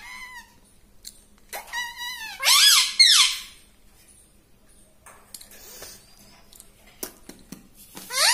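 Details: Pet talking parrot speaking like a human indoors in a small room: squeaky, harmonic syllables that bend up and down in short bursts, with a loud, buzzy, rising cluster near the middle and faint clicks between phrases.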